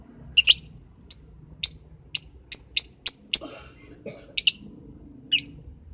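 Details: Lovebird in the morning repeating bright, high-pitched chirps about every half second, with a double note at the start and a paired chirp near the end amid faint background rustling.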